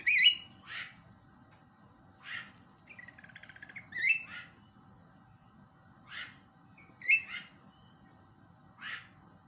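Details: Javan myna calls played as a lure to set other mynas calling: paired rasping squawks repeated at uneven intervals, a short buzzy trill in between, and a faint steady hum beneath.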